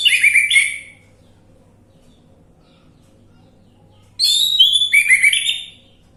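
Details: Orange-headed thrush lure recording: a short burst of varied whistles, about three seconds of near silence, then a longer phrase of mixed high whistles and descending slurred notes.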